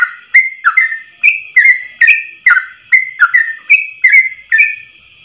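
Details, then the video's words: Yellow-vented bulbul singing a tutor song in ropel style, one long breath, meant for training caged bulbuls: rapid bubbly whistled notes, each dipping then rising, about two per second, with sharp clicks and a steady high hiss behind. "Masteran trucukan terbaik ropel 1 nafas panjang"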